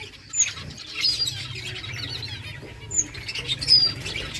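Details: Finches eating eggfood give brief, thin, very high chirps, four spaced over a few seconds, over a steady rustling and pecking.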